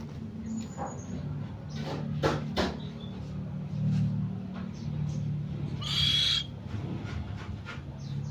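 A Buffy fish owl gives low, droning moans, then a short breathy hiss near the end, with clicks and handling noise close by.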